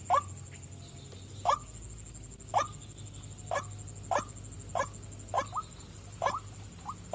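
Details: Female white-breasted waterhen giving quieter, spaced upward-sliding notes roughly every second, with a steady high whine and low hum behind.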